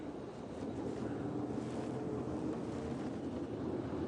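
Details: Low rumbling engine and wind noise runs throughout, with no animal calls heard.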